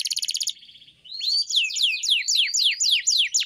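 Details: Canary training song (masteran): a short buzzy pulsed trill, a brief pause, then a series of loud, sweeping, zigzag whistled notes repeated in quick succession.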